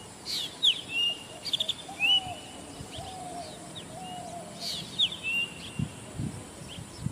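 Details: Zitting cisticola, a bird more often heard than seen, giving thin, sharp, high chirps with quick downward strokes in small clusters, one near the start and another about four seconds later, over a quiet outdoor background.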